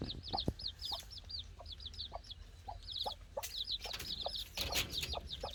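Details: Chicks playing, giving rapid high-pitched peeping chirps, many short down-slurred notes in quick bursts, several birds overlapping, with soft scratching and tapping sounds.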